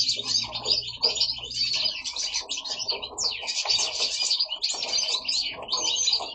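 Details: Several goldfinches singing at home in Italy: lively bursts of high, rapid twittering and liquid trills, some notes sweeping downward, overlapping in a busy chorus with a faint low hum at the start.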